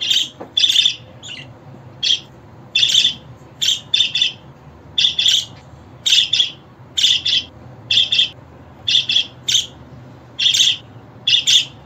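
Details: A budgerigar repeats harsh, buzzy chirps about once a second, often as paired notes, in a steady irregular rhythm over a quiet background.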